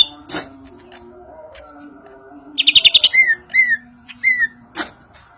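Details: Greater green leafbird, Banyuwangi type, singing ngentrok njambul: an isolated sharp note, then a fast rattling burst of high ticks followed by three clear descending whistles and a last sharp squeak, over a quiet low hum.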